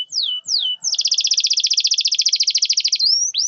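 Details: A canary lure song for coaxing silent canaries into song. Two quick descending slurs lead into a long, rapid, buzzy trill, which ends in a rising whistle.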